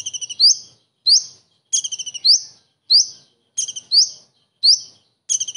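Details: Common iora imitating a kingfisher for training other birds: a steady series of fast four-to-six-pulse chatters, each closed by an upward-sweeping whistle, phrases roughly every half second.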